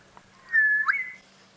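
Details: Southern Boubou call played from a recording during a sunset safari drive on April 30, 2017, one of the species' several calls, matching a wild bird heard nearby: a clear, level whistled note followed by a sharply rising upslurred whistle.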